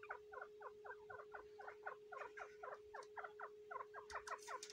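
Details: Female grey francolin guarding eggs in the breeding season: evenly spaced, downward-sliding chirps, roughly two per second, with a cluster of higher sharp notes near the end over a continuous hum.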